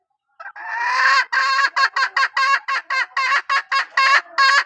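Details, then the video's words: A female chicken gives a drawn-out, rising, harsh note, followed by a quick series of short, loud, raspy pulses repeated about three times per second. "ตัวเมียสายร้องเกั่ง, poj qaib seev tsauj zoo heev"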